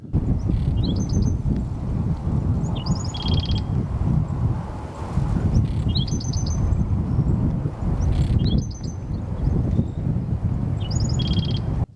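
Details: A male Black-throated Sparrow sings in desert scrub on the Pacific Crest Trail in southern California, between Scissors Crossing and Warner Springs: high clipped phrase, then lower buzzy trill, about every three seconds, over heavy rumbling wind.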